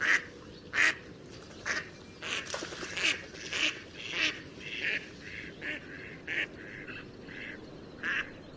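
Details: Duckling on a pond giving short, bright, broadband quacks in an uneven series, roughly one every half second to second, with quieter calls in between over a faint steady background hiss.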